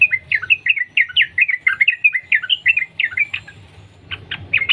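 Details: Rapid chains of bright, warbled chirps from a wild sooty-headed bulbul, the nonstop 'sambung ropel' song used to prompt other bulbuls to sing, fading to scattered notes near the end.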